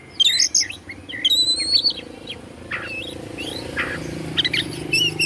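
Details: White-rumped shama (kacer) song to provoke other shamas: thin high whistles and short warbled notes over a steady low hum in the background.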